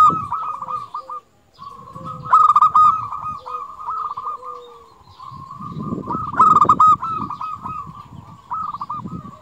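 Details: Local zebra dove in full song, strings of rapid, level coos punctuated by two rich trilled bursts, over a background of low rumbling and shuffling noise.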